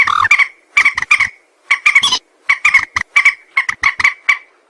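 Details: A white-breasted waterhen, whose call is used to lure birds for trapping, gives hoarse, frog-like croaks in rhythmic bursts of two to four notes, repeated steadily with brief gaps.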